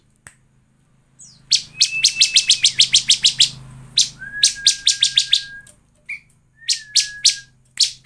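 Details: Bar-winged prinia used as a lure song to make other birds sing: fast bursts of sharp, buzzy broadband chips repeated several times a second, with a thin steady whistle running beneath some bursts.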